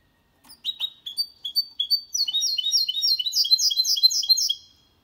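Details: Hybrid of goldfinch and canary in clean song meant for tutoring young birds and prompting males: a few spaced high chirps open, then a rapid rolling string of sharp, repeated twitters.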